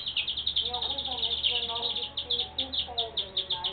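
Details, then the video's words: Saffron finch delivering a dense series of bright, high chirped notes in quick succession throughout, with softer voices audible underneath. "canario da terra"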